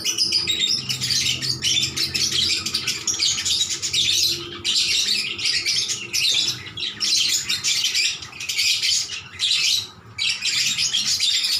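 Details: Loud, nonstop lovebird chatter as several birds answer one another, rapid high squeaky twittering and shrill chirps in long rolling bursts with only short pauses.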